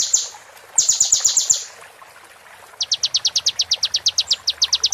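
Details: Kolibri ninja sunbird training recording in roll tembak style, meant for play during moult: a short high burst, then a fast series of sharp, evenly spaced high notes, pausing, and resuming as a rapid regular rattle.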